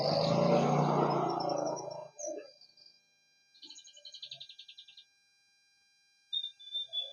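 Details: Male canary singing busily while its mate incubates a clutch of four eggs: after a burst of loud broadband noise, a rapid, evenly pulsed high trill lasting about one and a half seconds, then brief thin high whistles.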